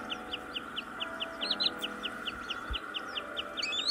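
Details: A green sandpiper lure recording for the 2024 bird-catching season: a fast, even series of high, clipped notes, about four a second, over a steady droning hum.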